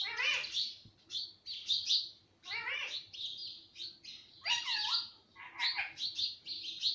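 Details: A talking pet parrot, said to say papa, mummy and mittu, gives rough chattering phrases in separate bursts, some with descending whistled tones, with short silences between.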